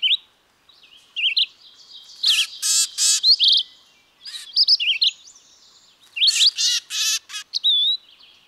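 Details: Red-eyed vireo singing short slurred whistled phrases that rise and fall, given in quick succession, mixed with loud harsh buzzy bursts from another bird.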